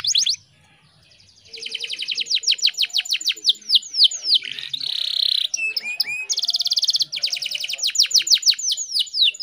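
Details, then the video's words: Female canary in heat, used as a lure so birds sing eagerly. After a brief pause come fast chattering trills, a buzzy roll, and repeated sharp down-slurred chips and whistles at high pitch. "PANCINGAN KENARI BAHAN AGAR CEPAT GACORR"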